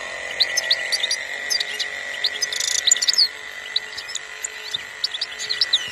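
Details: Song of a European goldfinch, recorded in 2021. Fast liquid chirps and trills follow one another, with a buzzy rattle near the middle and a constant background hum.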